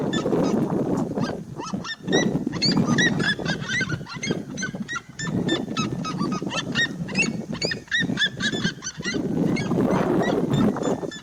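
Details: Seriema singing a dense, continuous run of loud, harsh yelps. The notes come in quick succession and overlap, as if several voices call together. Low background noise is present throughout.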